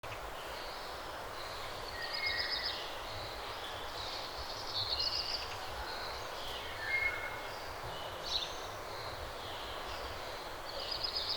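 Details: Birds in early morning, several short high thin chirps and brief whistled notes scattered through the recording, set against a steady broadband background rush like distant traffic or wind.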